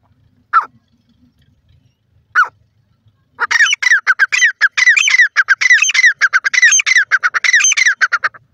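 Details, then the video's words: Grey francolin opening with two isolated harsh notes, then breaking into a loud, rapid, continuous series of ringing, squealing phrases repeated for about five seconds. "irani teetar ki awaz,irani teetar voice,grey francolin"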